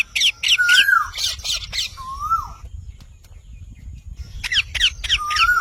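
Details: Parrot gives quick harsh squawks mixed with a smooth whistled note that slides up, then falls. A quiet gap follows before more squawks and a further whistle.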